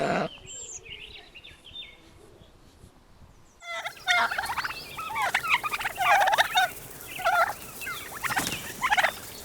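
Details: Turkey gobbling in loud, rapid warbling bursts that repeat several times, after a quieter opening with faint chirping birds.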